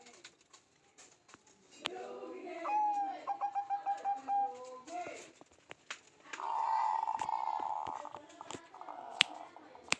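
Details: Zebra dove calling busily: a quick run of evenly spaced, beating coo notes at mid pitch, then a longer buzzy, humming stretch, with faint voices and sharp clicks around it.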